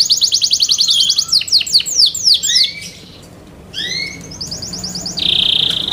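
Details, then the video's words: Yorkshire canary singing competition song: a fast buzzy trill, then descending chirps and rising slurs, a short quiet gap, then more trills ending in a sustained high rolling note. "YORKSHIRE CANARIES COMPLETE SOUND MATERIAL SUITABLE FOR VOTING COMPETITION"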